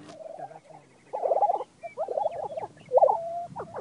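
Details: Lesser Prairie Chickens calling at a lek on a Texas Panhandle ranch, the breeding ground where males gather to display in hopes of finding a mate; mid-pitched bubbling, gobbling phrases come in bursts with short pauses, the loudest near the end.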